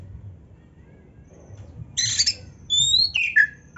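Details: Kacer (Oriental magpie-robin) in training song with filler phrases: near silence for two seconds, then a raspy burst followed by high clear whistles and a quick falling note.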